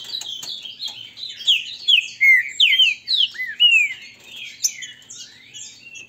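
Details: A singing contest in Brazil between captive green-winged saltators of grego mole and boiadeiro styles; a run of quick slurred whistled notes, many falling, builds and then fades into softer overlapping phrases.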